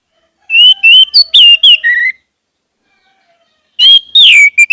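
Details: Orange-headed thrush singing to prompt caged birds: a run of loud whistled notes, some slurred downward, then a silence and a second shorter phrase ending in descending whistles.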